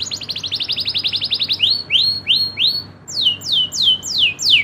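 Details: Rolling song of a local Indonesian canary: a rapid high trill breaks into slower arched whistles, then loud steeply falling notes repeated about every half second.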